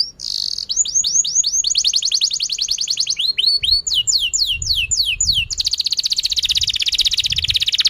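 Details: Domestic canary in full continuous song, played to lure other canaries into singing: a buzzy opening, runs of repeated downward-sweeping notes, a burst of looping slurs, then a fast dense trill to the end.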